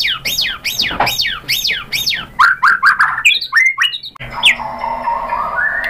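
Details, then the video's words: White-rumped shama lure song: a rapid series of loud looping swept notes about three per second, then lower slurred phrases and a rising drawn-out whistle. "KICAUAN MURAI BATU memancing BUNYI jadi NYAUT GACOR BONGKAR MATERI | PANCINGAN MURAI"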